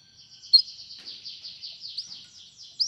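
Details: Canary song used for training a canary to sing: a quiet, continuous high warble of rapid rolling and sweeping notes, ending with a brief louder upward note.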